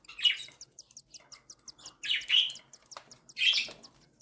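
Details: Three young cockatiel chicks, aged one and seven days, begging as the mother feeds them: a rapid stream of tiny rhythmic ticking peeps broken by louder hoarse wheezing squeals.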